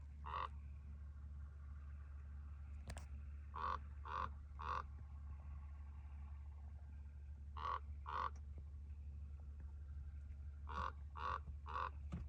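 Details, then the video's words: Mimicking a car's bells, a Chihuahuan raven in New Mexico's Chihuahuan Desert, Luna County, gives clustered short, ringing nasal notes in bursts of two or three, repeated several times, alongside occasional clicks and a steady low-pitched hum. "Chihuahuan Crow mocks my car’s bells"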